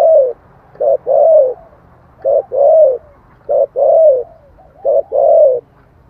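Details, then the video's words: Cooing song of a spotted dove in 'thổ' style, played to draw in wild birds. Four soft, low phrases pair a brief note with a drawn-out, slightly sliding coo, spaced roughly 1.3 seconds apart over a quiet background. "tiếng chim cu gáy giọng thổ chuẩn kích bổi nhanh nổi"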